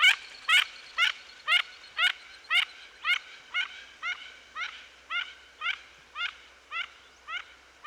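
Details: A Mandarin Duck (Oshidori) in Japan gives short, high, squeaky notes, each rising then dipping, repeated steadily about twice a second, like a small rubber toy.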